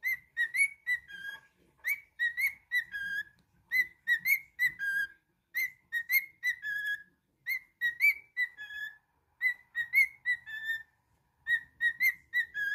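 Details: Repeated whistled melody from a pet cockatiel, quick phrases of three to five notes that rise then drop, returning roughly every two seconds with short gaps.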